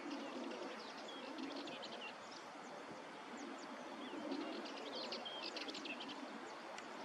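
Common ringed plover giving quick bursts of short, high piping notes, some with brief whistled slurs, over a steady wash of surf or wind.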